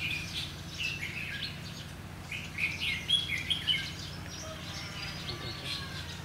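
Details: Red-whiskered bulbul recorded on 11 January 2016 while being trapped with a decoy bird, giving its fighting song: a short burst of bright, chirpy whistled notes midway, amid scattered faint chirps over a steady low hum and background noise.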